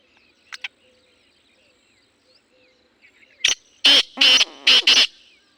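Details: Black francolin giving a loud rasping series of about five harsh, scratchy notes bunched into the last two seconds. Before them come faint distant chirps from other small birds and a soft background.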